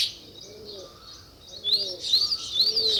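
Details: Sparrows, said to be weaver birds, stay soft and distant at first, then break into sharp, rising high chirps in quick bursts. Low, gentle coos sound faintly throughout.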